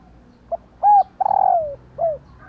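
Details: Cu mái, a female spotted dove, giving one full phrase meant to stir males into cooing: a soft pip, a bright arched coo, a drawn-out wavering falling note, then a final short dipping coo.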